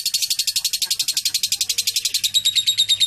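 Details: Lovebird singing with a cililin-style fill (isian cililin), described as clear: a continuous rapid buzzy trill of high pulses, about eight per second, steady for three seconds.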